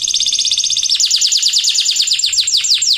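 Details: Canary in full, lively song, used as a lure to prompt reluctant birds and young learners to sing: rapid high trills of repeated sweeping notes, quickening after the first second into a rolling, evenly pulsed series.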